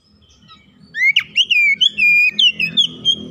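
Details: Caged oriental magpie-robin in song training, giving clear loud whistles and slurred rising and falling notes in a fast varied sequence, with faint low background noise.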